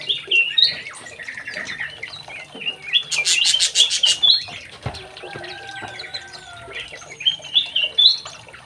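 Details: Young male White-rumped shama in an aviary, singing a varied run of high whistled and chattering phrases, with a brief burst of rapid harsh notes midway and sliding whistles near the end.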